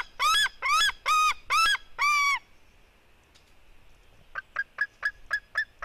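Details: Female white-tailed eagle eaglet fighting with her brother, at 16:09. Five loud, arched, harmonic yelps in quick succession are followed by a pause. Then a string of softer, short, clipped notes follows.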